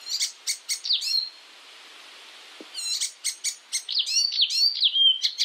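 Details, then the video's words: Song of the icterine warbler, a European bird, used to train songbirds: bursts of rapid clicks and whistled slurs, a pause of over a second, then quick chattering notes and fluty sweeps resume. "masteran Burung || icterine werbler burung kapasan asli eropa"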